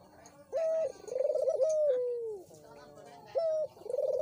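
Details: A lure call for a dove that will not sing: flat clear coo notes alternating with throbbing, rolled coos that dip and level off, sounded twice, loud over a quiet background.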